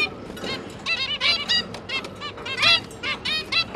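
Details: Zebra finch family of two adults and three newly hatched juveniles during feeding, 5 September 2022: a fast chatter of overlapping honking, nasal beeps, some louder and drawn out, over faint hum.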